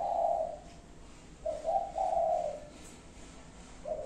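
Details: Five-note cooing of a spotted dove: the tail of one long coo, a pause, then a short note, a rising coo and a long mellow coo, with the next phrase starting as it ends.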